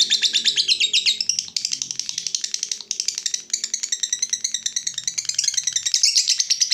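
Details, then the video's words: Lovebird giving the long chattering trill known as ngekek panjang, a continuous rapid, buzzy, high-pitched chatter that runs without a break for nearly seven seconds, with faint low rattling in the background. "SEKALI PUTAR LOVEBRID MANA PUN LANGSUNG NGEKEK PANJANG"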